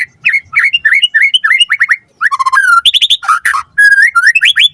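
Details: Vigorous white-rumped shama song used as a lure to prompt a quick reply: looping whistled notes repeated rapidly, a silent gap, then buzzy high bursts and rising sweet whistles.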